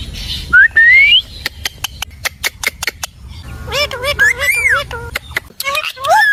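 Rose-ringed parakeet mimicking speech in a high, nasal voice, with rising whistles and a run of sharp clicks or taps between phrases.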